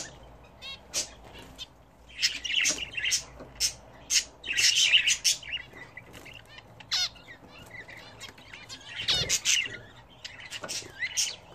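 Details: Several budgerigars kept at home chatter while bathing: clustered squawks and bright chirps in irregular bursts, some warbled rising notes, with flapping wings and splashing between the calls.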